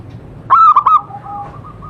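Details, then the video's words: Local zebra dove, filmed around bird trapping, gives one short burst of quick, rolling cooing notes, then a faint steady whine continues underneath. "Perkutut Lokal Gacor"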